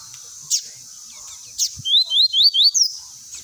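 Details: Tui-tui style song of a Lined seedeater for training young birds: after two sharp high clicks, a fast series of about six loud rising whistled notes repeated several times a second.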